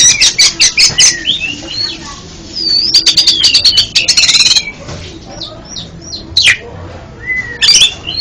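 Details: Song of an oriental magpie-robin, played as therapy for a stuttering caged bird: quick trains of sharp clicking notes alternate with short sweeping whistled slurs and pauses, over faint background hiss.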